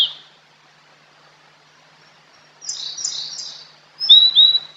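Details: Lure recording of a fork-tailed sunbird, known as sulingan or tledekan: a soft, rapid, high twittering run, then two clear, bright, upslurred whistles.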